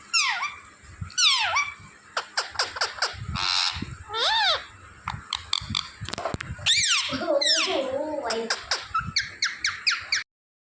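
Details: Pet parrot, said to be talking, gives a busy stream of varied harsh squawks, chattering clicks and swooping harmonic calls, some rising and falling sharply, before stopping abruptly.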